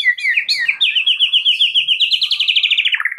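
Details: White-rumped shama song used to make a quiet bird answer: a continuous rapid warbled trill holding a steady pitch for about three seconds after a few quick wavering notes.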